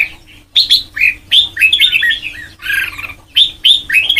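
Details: Red-whiskered bulbul, white-cheeked type, in song training for the Sông Kon style, gives short loud whistled-chirp phrases, each a quick upward-then-downward flourish, with brief pauses and a soft constant hum behind.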